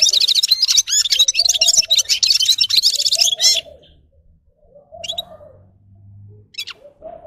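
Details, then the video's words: Red-fronted serin giving a few seconds of quick, high, jingling twitter that then stops, followed by soft low cooing and a few scattered high chips. "Gulsir Singing (Seriniis pusillus) Пение Птицы (Yurok Qushi Red-capped signing) G'ir-G'ir"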